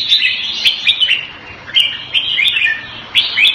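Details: Red-whiskered bulbul kept caged in Singapore in Thai fashion pours out bright, slurred whistled phrases in quick succession, each with a swooping rise and fall, broken by occasional sharp ticks.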